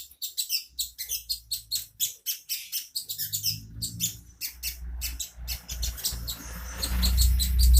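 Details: Master-song bird for white-rumped shama and magpie-robin training: fast series of shrill, high chirps repeated several times a second, while a low rumbling noise builds and grows loud toward the end.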